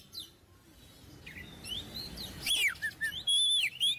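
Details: Oriental magpie-robin song for training young birds: after a quiet start with faint high notes, a burst of sweeping whistles and falling slurs, then a long level whistle and a final upturned note.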